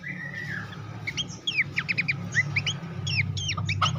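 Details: Horsfield's babbler song as master material for training competition songbirds. It opens with a long descending whistle, then quick repeated chirps and curving whistled slurs over a noticeable low background hum.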